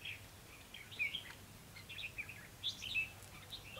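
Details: Red-whiskered bulbul used as a decoy bird for trapping, recorded 28 October 2016; short bright warbled phrases of rising and falling notes come in bursts, with other birds faintly behind.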